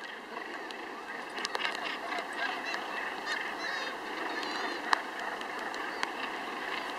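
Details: A dense, continuous din of harsh, grating calls from many Northern gannets overlapping at the Troup Head breeding colony, Scotland, the only mainland gannet breeding colony in the UK, with a few sharper cries rising above the steady roar.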